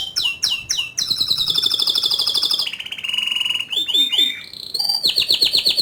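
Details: Canary delivering vigorous ngerol rolling song with nembak bursts, a few loud chips leading into a long high trill, a lower roll, swooping notes and another bright trill.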